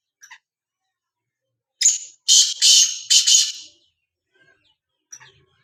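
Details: Black francolin calling: a rough, scratchy phrase of three or four loud buzzy notes, the middle ones longest, with soft high chirps before and after in an otherwise quiet setting.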